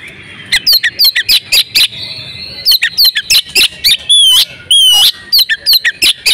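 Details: Breeding-condition female oriental magpie-robin, calling to encourage males to sing. Dense sequence of sharp downslurred chips with two drawn-out buzzy rasps in the middle, then more quick chips.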